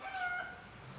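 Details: Eurasian bullfinch giving a soft, piped whistle, a single steady note with faint overtones, held for about half a second over a quiet background.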